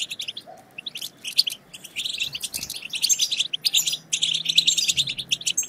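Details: European goldfinch batbata twittering, played to excite other goldfinches into singing. Quick, high, metallic twitters come in irregular bursts, busier in the second half, over a faint low hum.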